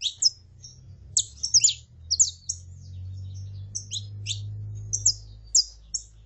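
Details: Saffron finch, female calls mixed with male song for stimulating a kept bird: scattered high thin chirps and short slurred notes over a steady low hum.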